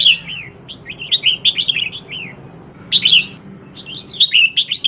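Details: Red-whiskered bulbul female, used as a lure to excite males into singing. Rapid runs of bright, down-slurred whistles, many notes strung together in two long bursts separated by a pause of about a second, with a steady low background hum.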